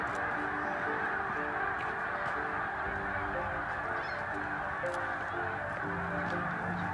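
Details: A huge flock of migrating snow geese at Middle Creek Wildlife Management Area, an early-spring staging area, 2022, keeping up a steady roaring clamor of overlapping nasal honks and yelps without break.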